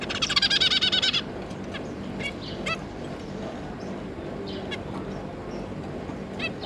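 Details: Zebra finch pair with their three juveniles, recorded 9 June 2022: a dense one-second burst of rapid, nasal, harmonic chattering calls, then scattered short single calls over steady low background hum.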